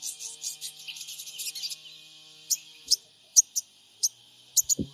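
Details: Sogon trotol lure sound from Purbalingga, captured on an Android phone: rapid high chattering twitter for two seconds, then widely spaced single sharp chirps and a soft low knock at the end.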